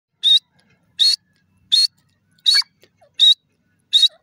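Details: Grey francolin, locally called teetar, described as an Irani teetar, calling: six short, sharp, high buzzy notes, each about a tenth of a second, repeated at a steady rate of roughly one every 0.7 seconds against a quiet background.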